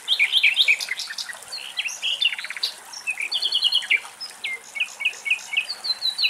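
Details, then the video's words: Common Nightingale song from Greek nature, a field recording. Loud, varied phrases of sharp chirps, dense buzzy rattles and clear whistled notes follow quickly, with repeated short pure tones near the end. "Αηδόνια Κελάηδημα"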